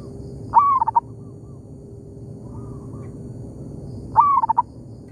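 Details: Local zebra dove answering a decoy among oil palms: two loud stuttering coo phrases, each starting with a quick upward note and ending in clipped pulses, a gentle distant coo between them, steady low hum.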